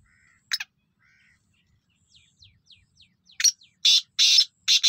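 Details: Black francolin from Pakistan giving a few harsh, broad, grating bursts in quick succession near the end. Faint high chirps and thin short notes from small birds come before it.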